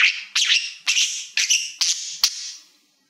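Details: Male pet budgie, a mirror lover, vocalising at a shiny Silver Play Button: five buzzy, scratchy bursts about half a second apart, each fading into a hissing tail before silence.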